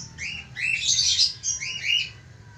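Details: A budgerigar calls to a female with a soft, blurred warble of chirps that swells in the middle and then comes in two quieter notes, over low background noise.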